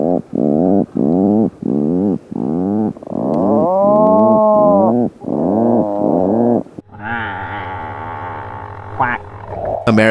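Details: Atlantic Puffin in the breeding season, calling from burrows or crowded colony gatherings while competing for space and mates: deep, muffled groaning growls repeated about every second for seven seconds, then a rougher noisy passage with a faint musical tone.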